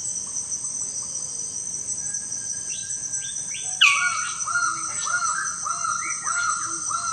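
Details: Magnificent bird-of-paradise at its lek arena: a loud, sharply falling note, then a run of short, arched, harsh notes repeated about every half second, over a steady high insect drone and soft whistles from other birds.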